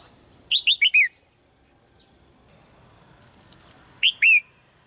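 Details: Red-whiskered bulbul female, caged, giving soft calls meant to make a male sing more strongly: a rapid four-note whistled phrase falling at the end, then after a pause a shorter two-note phrase.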